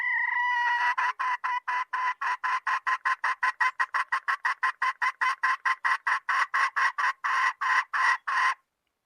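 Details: Hen giving a long, steady series of loud, harmonic, nasal notes, about four per second for nearly nine seconds. The rhythm is even, and the recording is indoors-quiet with little other sound.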